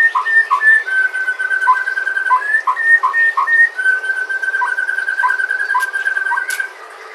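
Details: White-rumped shama from Sumatra, a natural recording used to prompt other shamas to sing: long, steady, clear whistled notes held for nearly a second, broken by short lower notes repeated at an uneven pace.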